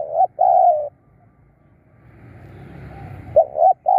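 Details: Spotted dove used as a decoy to lure wild birds, giving low, hoarse cooing phrases of two to three notes at the start and again near the end, separated by a quiet stretch with soft rumbling background noise.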